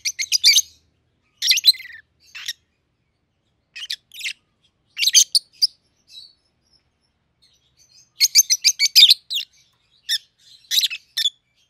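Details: Raised together in captivity and 7-8 months old, a red-headed green opaline and a red-faced dark green peach-faced lovebird make clusters of shrill, buzzy chirps separated by silent pauses of a second or more.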